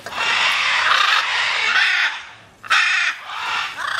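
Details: Macaws flying free, one long loud hoarse screech lasting about two seconds, then a brief pause and a second harsh outburst.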